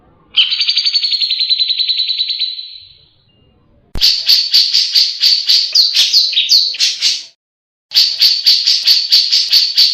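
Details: Grey-cheeked bulbul (cucak jenggot) in lively full song, used as a tutor recording for other caged birds: a long buzzy trill, then a cut to rapid, sharp, high chirps repeated about four per second with short gaps.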